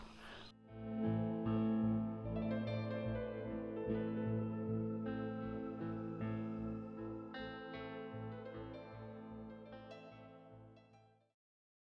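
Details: Sustained ambient guitar music with layered tones; no animal sounds are heard.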